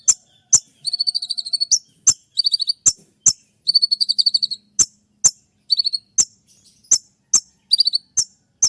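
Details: Kolibri ninja (konin trotol) shooting sharp song for training birds, played at dawn: repeated buzzy high trills alternating with crisp downward chips, fast and insistent throughout.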